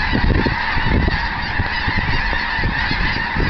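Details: Snow geese in a field near Eagle Lake, Texas, in February 2011, most of them already airborne. Thousands of voices blend into a steady roaring chorus of high honks over low, rumbling noise.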